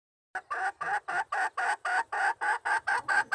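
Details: Red junglefowl hen used as a decoy, recorded 26 March 2020, calling to lure wild males. After a brief silence she gives about eleven harsh, even clucks, roughly four each second.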